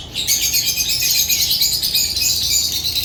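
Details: Dense, shrill twittering of African lovebirds, rapid high chirps running together without a break after a brief quiet start.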